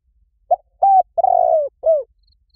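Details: Spotted dove lure call, meant to draw wild doves in quickly: a four-part cooing phrase, a short coo, a level held coo, a long trembling coo sliding down, then a brief falling coo, on a clean, quiet background.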